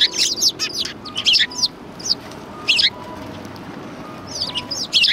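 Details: At a Tenmangu shrine on 4 March 2020, sparrows chirp in a flurry at first, then in scattered single notes before a final burst, over faint steady background tones.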